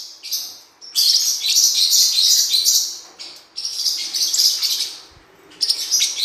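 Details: Blue-winged parrotlet (cuiubinha, Forpus xanthopterygius) song, recorded for teaching and training birds: dense, high, buzzy chattering twitter in bursts, with short quiet gaps around one and five seconds.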